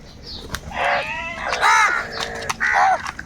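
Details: Angry crows squabbling over food: three drawn-out, raspy caws spaced about a second apart, each rough and slightly falling at the end, with faint background chatter.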